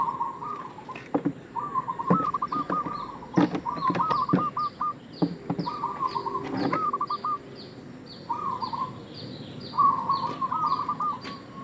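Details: Local Indonesian zebra dove giving a lure call used as bait for other doves: rolling, stuttered trilled coo phrases repeated about every two seconds, over a thin high descending chirping from another bird and scattered sharp clicks.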